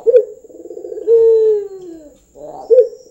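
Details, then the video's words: Single full phrase from a trained local Barbary dove: a short throaty note, a soft rolling trill, then a long, smooth, low coo sliding downward, with the next rolled note beginning. "SUARA BURUNG PUTER LOKAL"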